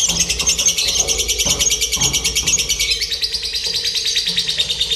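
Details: Lovebird singing during a simulated competition meant to strengthen its contest nerve. An unbroken high, fast, trilling chatter, steady in pitch, with faint low knocks and a soft hum beneath.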